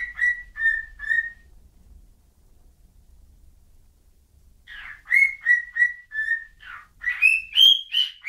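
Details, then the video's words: A whistling bird sings a few steady, clear notes, falls silent for several seconds, then resumes with quicker whistles that climb higher in pitch toward the end, in near-silent surroundings. "whistling bird"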